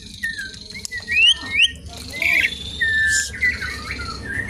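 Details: Asian pied starling song used as a lure and teaching material for other birds: sparse rising whistles and short clear notes with a brief harsh burst, over faint background hum.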